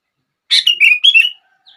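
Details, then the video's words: A single brisk phrase from a sooty-headed bulbul, aimed at getting other bulbuls to sing: a burst of four or five tumbling, liquid whistles lasting under a second. "Kutilang Lain gak bisa diam saat mendengar suara ini!!!"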